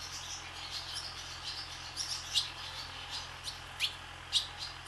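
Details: Barn swallows (Hirundo rustica) skimming across the sky above a swallow farm give brief, high, sharp chirps, scattered irregularly a few per second, over a faint chatter and a steady low mechanical hum.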